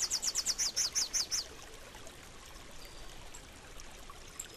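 A Rufous-capped warbler gives a quick run of about ten sharp, high chipping notes in just over a second, followed by a soft rushing background like running water.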